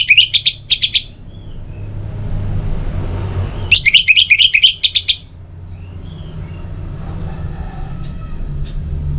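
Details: Orange-headed thrush song played as a morning and evening lure to get birds singing: two bursts of rapid, high chattering notes about three seconds apart, over a steady low background rumble.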